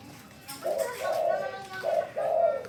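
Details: Spotted dove, a trained bird that calls when told to, giving low, drawn-out cooing notes in several phrases, with short breaks between them, over a quiet indoor background.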